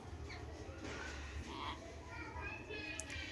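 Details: Two male Indian ringneck (rose-ringed) parakeets talking, chattering in husky, speech-like mimicry with short syllables rising and falling over a low background hum, then a meow.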